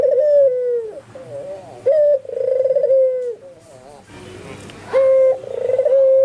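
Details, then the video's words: Albino white ringneck dove giving full, vigorous cooing while nearby spotted and zebra doves reply; long steady low coos alternate with wavering, bubbling phrases, broken once by a brief rustling noise. "SUARA BURUNG PUTER PUTIH ALBINO FULL GACOR - Sekali bunyi tekukur perkutut disekitarnya ikut nyaut"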